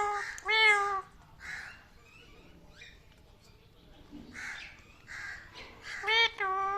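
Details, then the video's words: Pet parrot giving loud, tonal whistled calls with strong overtones, mixed with rougher caw-like notes and short squeaks across several bursts, with quiet gaps between. "Crazy Things my Parrot Says"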